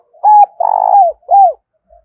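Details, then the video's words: Decoy spotted dove cooing to lure wild doves toward a trap: a single phrase of a level hooting coo, a longer vibrating rolled coo sliding down, and a final arched falling note. "Tiếng chim cu gáy mồi gáy gọi bổi nhanh về cội"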